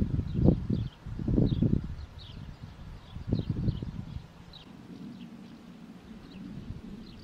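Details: White stork with three quick bursts of low, rattling clatter in the first half, then a quieter hum-like stretch, small birds chirping high throughout.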